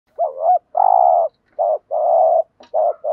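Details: Spotted dove, a lure recording for drawing in wild doves, with calling, urging and cooing styles. Low, hollow two-part coos: a short wavering note, then a longer steady one, repeated several times over quiet pauses.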